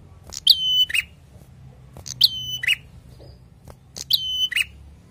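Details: Prinia singing vigorously: three evenly spaced phrases, each a sharp click into a high steady whistle ending in a lower buzzy note, with soft ticks between.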